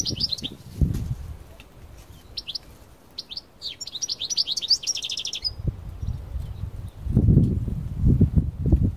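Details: Parva European goldfinch brought out into open countryside, singing a run of quick, bright twittering notes and short chirps before falling quiet, with low rumbling wind noise throughout.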